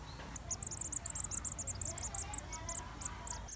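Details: Red-vented bulbul chicks waiting for their mother to bring food give a fast run of thin, very high squeaky peeps, about twenty in three seconds, over a low background rumble.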